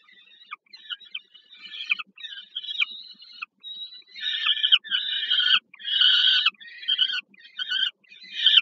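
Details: Peregrine falcons at a Warsaw nest on the Żerań power plant, Poland, on 15 August 2022, during a food delivery to a young bird. Broken, wavering calls gradually build into louder, harsher wails, repeated roughly every second.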